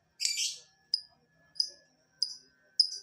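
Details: Lovebird sound used as a lure for lovebirds to answer: one harsh screech followed by short sharp high chirps spaced about two-thirds of a second apart.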